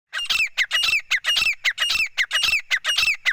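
A male grey francolin calls to the female with loud, harsh, squeaky notes, repeated about twice a second in an unbroken, ringing run.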